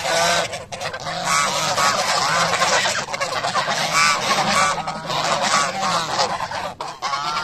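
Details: Domestic geese honking while feeding in the morning: dense, continuous harsh nasal honks overlapping from several birds for the full stretch, with a steady low hum underneath.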